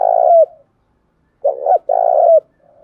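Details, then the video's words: Spotted dove lure cooing meant to draw rival doves in to fight: the end of one long purring coo, then a full phrase of a stuttered double note and a sustained low coo sliding downward, with a faint coo trailing after. "cu gay kich boi nhanh noi gù chuẩn gáy gọi+ Thúc Đấu , tiếng gáy hợp bổi giọng đồng gáy gọi"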